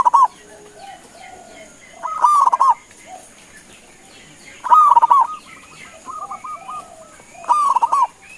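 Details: Zebra dove of local stock, known as perkutut, repeating its call meant to make other doves answer: four rolling coos spaced roughly every 2.5 seconds, each a stuttering start into a warbled trill, softer distant cooing between them.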